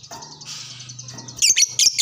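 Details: Fighter-type hobby lovebird responding to another lovebird; steady high rattling chatter, then sharp loud shrieking notes in quick bursts near the end, over a faint low hum.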